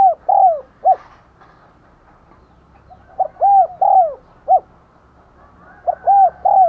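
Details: Spotted dove used as a lure for wild doves, giving 'thúc gù' and 'gáy gọi' calls: three rhythmic phrases roughly every three seconds, each of mellow hoots with a long sliding note and a short final pip.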